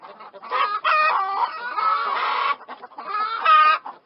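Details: Chickens cluck and squawk in stacked, nasal notes, a long drawn call in the middle followed by a short burst near the end.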